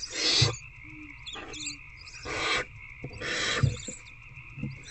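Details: Barn owl feeding an older owlet inside a nest box after dark, 19 February 2024: three drawn-out, breathy hissing screeches, each under a second, spaced about 1.5 seconds apart, with faint thumps and steady drone.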